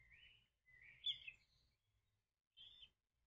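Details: Kingfisher chick inside a man-made nesting tube calling unsuccessfully for its parent: a drawn-out rasping note, then a louder harsh burst and a brief final call after a pause, with a faint low rumble.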